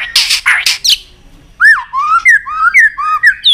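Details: Excited caged white-rumped shama, fired up and flicking its tail on the perch, gives harsh raspy bursts, then a run of loud, clear whistled notes that swoop up and down, each about a quarter-second long.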